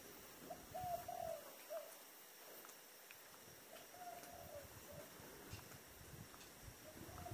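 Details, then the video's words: A dove with the "thổ đồng" voice type, at a home, gives soft, low, hollow coos in short phrases about three seconds apart, over a faint steady background hiss. "chim cu giọng thổ đồng"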